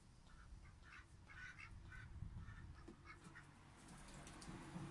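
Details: A pet aigamo duck, a young male newly brought into a home in June 2023, utters brief clustered nasal notes in quick irregular bursts against low-pitched room noise.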